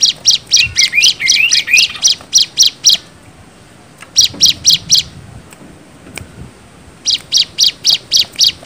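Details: Bar-winged prinia lure song: rapid series of high, sharp chips about four per second, broken by quiet gaps, then resuming in the same even rhythm.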